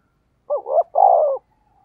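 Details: A single Spotted dove decoy phrase, 'thúc gù giọng thổ đồng' style: a quick wavering double note followed by a longer, steady, mellow rolling coo, all low and hollow.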